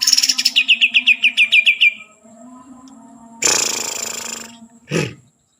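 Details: Green leafbird, native to Kalimantan, singing a fast series of about a dozen sharp, high, downslurred notes over a low hum, then a loud harsh rushing burst and a brief low thud.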